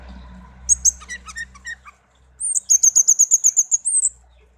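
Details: Hand-raised pet songbird, tame, gives a short group of chirps over a low hum, then a rapid even run of about a dozen high notes, roughly four per second.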